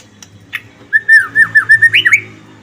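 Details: White-rumped shama in top singing form, its song used to provoke other shamas into singing; a fluent run of about nine loud, clear whistled notes, rising and falling, ending on a higher upswept phrase, after a few faint clicks.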